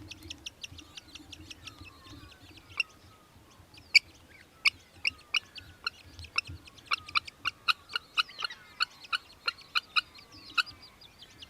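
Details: Rapid, sharp high-pitched 'kik' notes from an Australian hobby in Victoria, Australia, in December 2023, coming in uneven bursts through the recording, loud and clear over a quiet background.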